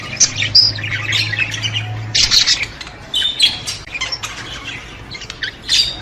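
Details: Budgerigar song for stimulating budgies: scattered squeaky warbles and harsh chatter bursts separated by quieter gaps, with a low steady hum during the first two seconds.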